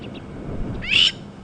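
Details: On a sunset safari drive on 8 July 2015, a Crowned Lapwing, apparently upset at the vehicle, gives one harsh, strident, high-pitched quarter-second distress shriek after two faint short notes, over a low rumble; its chicks may hide in response.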